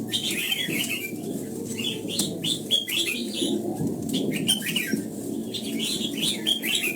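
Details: Red-whiskered bulbul morning song in voice training for the old-forest double-note style, a busy run of chirpy, bouncing whistled phrases with brief pauses, over a steady low background noise.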